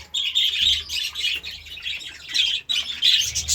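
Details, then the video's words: Budgerigar chirping in the morning, loud and close: quick bursts of bright, buzzy warbling with short gaps between phrases. "Budgie Sounds part 33 | A beautiful chirping sound in the morning"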